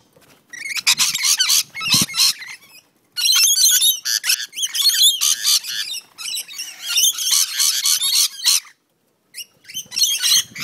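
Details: Several rainbow lorikeets in a backyard fight, Central Coast NSW, Australia, giving shrill, scratchy chatter and piercing screeches in fast runs of short notes, broken by brief quiet gaps.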